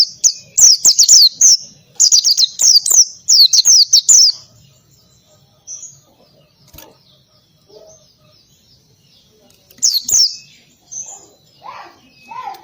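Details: Lively oriental white-eye ngalas song, meant as training audio for other birds: three dense bursts of high, falling whistled notes, then near-quiet with faint softer calls, one last short burst and lower chirps from another bird.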